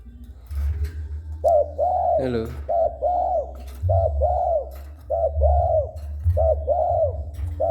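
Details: Spotted dove cooing vigorously each time someone approaches it. About seven soft, mellow two-part phrases follow one another unevenly: a short coo, then a longer arched coo. A steady low hum runs underneath.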